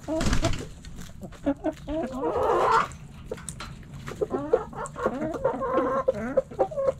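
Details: Backyard chickens, hens and roosters, pecking and scratching; busy overlapping clucks and a longer, rough, buzzy call midway, followed by rapid repeated wavering clucks.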